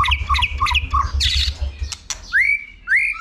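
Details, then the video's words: White-rumped shama singing while being stimulated for competition singing with tail flicking; harsh squawky notes repeated at the start, then clear rising whistles, over a steady low hum. "Chòe Lửa hót tạch đập đuôi KÍCH BỔI YẾU LỬA SỔ GIỌNG. kích chòe Lửa hót đấu. chích chòe lửa hót"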